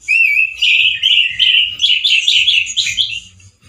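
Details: Male orange-headed thrush sings loudly and roughly, in 'teler' style. A rising whistle opens a continuous stream of warbled, wavering phrases that fades out near the end, over a soft low rumble.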